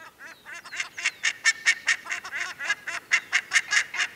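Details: A pale juvenile Black-faced Ibis (Theristicus melanopis) in a family group gives harsh, shrieking begging calls, about twice a second, bobbing its head while the adult ignores it, in a woodland meadow at Isla Teja, Valdivia, Chile, on a January summer day.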